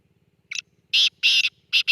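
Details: Black francolin giving a rasping call: a short faint note, then a run of loud, harsh, scratchy bursts spaced about a quarter second apart, with little else heard.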